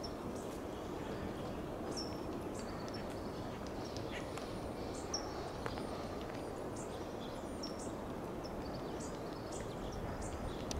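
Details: California towhee foraging on the ground in Del Monte Forest, California, giving thin, sharp high tsip calls, spaced irregularly about once or twice a second, under a steady rushing background noise.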